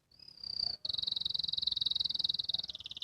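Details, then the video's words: Young canary learning to sing: a thin, rising, whistled note, then a long, even, rapidly pulsed high trill that shifts to a slightly lower pitch near the end, heard softly. "KENARI BELAJAR BUNYI, BELAJAR NGRIWIK"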